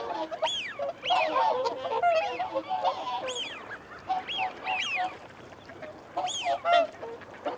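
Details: Whooper swans giving feeding and territorial calls: loud bugling honks with rising-falling tones, repeated in uneven bursts, overlapping lower nasal calls.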